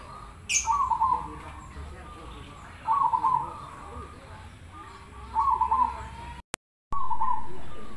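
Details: Zebra dove of the cemani Krosing type singing to make others reply: four rolling, trilled coo phrases spaced about two seconds apart over a low rumbling background, with one sharp high click near the start and a brief dropout.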